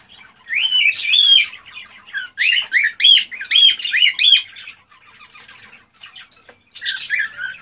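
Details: Excited male cockatiel singing to stimulate a female to mate and breed: bursts of loud, rising whistled chirps with bright overtones, grouped in lively phrases, broken by softer chattering notes and short pauses.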